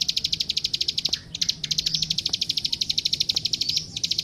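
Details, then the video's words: Prenjak sawah, the plain prinia, delivering 'gacor' song as tutoring material for young birds: rapid, evenly spaced sharp clicks in short runs, with two brief pauses and faint low background noise. "Suara Masteran Burung Klik Klik Gacor"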